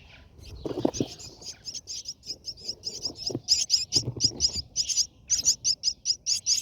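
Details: Brahminy starling at its nest, seen from inside, with feeding noted: rapid, high, scratchy chirps, often doubled, repeated steadily for several seconds, with a few low rustling thumps near the start and middle.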